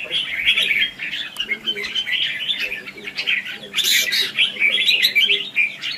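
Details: Red-whiskered bulbul in competitive fighting song, used as a lure for trapping and voice training. Busy, jumbled whistles and chirps run continuously, with a harsh burst near the middle.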